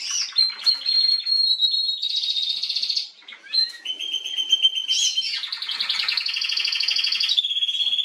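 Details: Female canary song recorded 21 January 2022, a long unbroken stream of high sustained whistles, rapid rattling trills and buzzy rolls that shift abruptly between phrases.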